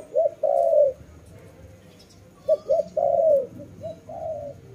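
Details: Repeated dove coos, a short note leading into a long drawn-out arched coo, then a quiet gap before another run of short and long notes.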